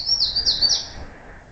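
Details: Bald eagle at its nest, mantling a freshly delivered gosling and plucking it, gives a run of high, thin, chittering whistles. About four quick notes each slide downward, packed into roughly a second and then fading.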